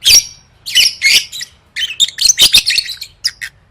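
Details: Lovebird singing, meant for competition practice: sharp high squawks followed by a quick stream of chirpy, scratchy notes, tightly packed and shrill.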